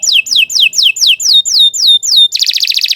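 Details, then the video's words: Canary singing a series of eight loud descending whistled slurs, roughly four per second, followed abruptly by a rapid high buzzy trill; clear and dominant with no other sounds. "Kicau Burung Kenari II GACOR PANJANG Cocok untuk Masteran"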